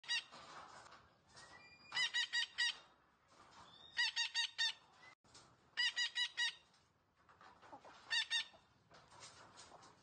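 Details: Green parrot talking: bursts of four or five harsh, ringing, evenly spaced notes arrive about every two seconds, with softer chattering and rustling between them.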